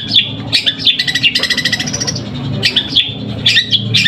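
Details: Long-tailed shrike in a Pamekasan song contest, performing sparrow-imitation song: harsh chattering chirps and squawky notes in uneven bursts, with a short rapid rattle midway, over low room noise.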